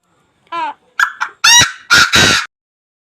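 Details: Chinese francolin giving a harsh, loud phrase of several notes: a short nasal note, two clipped notes, then three long strident blasts rich in overtones, the whole call lasting about two seconds with silence around it.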